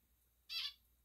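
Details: Pet male zebra finch answering its owner's voice indoors with a single short, nasal, trumpet-like beep lasting a quarter second, clear against a quiet room.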